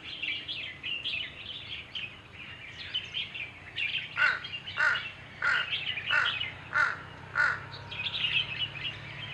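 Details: Himalayan bulbul drinking water in the Margalla hills, Islamabad, Pakistan. A short clear note is repeated about every half second amid a busy chorus of other twittering birds and a steady low hum.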